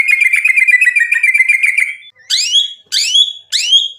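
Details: White-rumped shama song meant to provoke rivals: a fast buzzy rattling trill for two seconds, followed by three loud sweeping downslurred notes about half a second apart.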